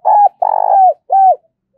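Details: A decoy spotted dove coos to attract wild doves for capture: three loud, clean, hollow notes in under two seconds, the second drawn out and buzzy, the others short with a slight downward curl.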